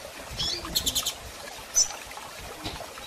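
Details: Calling female double-collared seedeater in heat, soliciting mating: a quick run of four high chips, then a single sharp louder note, over a quiet hissing background.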